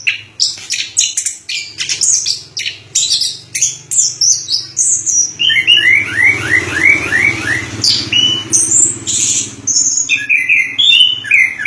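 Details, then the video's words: Anis kembang (orange-headed thrush) singing in Indonesia: a stuttering burst of very high notes, then a series of repeated downward-slurred whistles and mixed varied phrases over a low rumble. "Suara Burung Anis Kembang Durasian"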